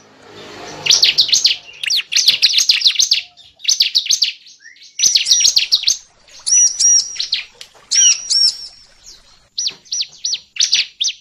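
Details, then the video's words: Lure recording of bar-winged prinia for trapping: repeated clusters of high, rapid zigzag chirps, then clearer, ringing whistled notes with overtones, alternating with more chirp bursts. "pancingan pikat burung cible"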